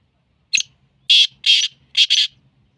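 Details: Sindhi black francolin calling: a short harsh note followed by four loud, grating, rasping bursts, the last two close together, in an otherwise quiet setting.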